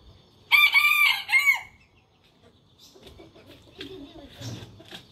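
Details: Rooster crowing: one loud, harmonic cock-a-doodle-doo lasting about a second, rising then falling at the end, followed by softer clucks and low chicken murmurs.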